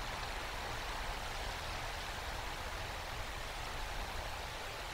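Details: Steady broadband rushing noise, like wind or flowing water, with a low rumble throughout and no animal calls.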